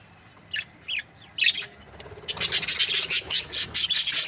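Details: Budgerigar breeding pairs: a few soft rising chirps, then a fast run of bright, buzzy pulsed chatter repeating about every quarter second.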